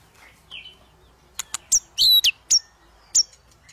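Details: White-rumped shama voice meant to stir a quiet shama into singing: a soft whistled note, then several sharp high clicks and a bright rising whistle in quick succession.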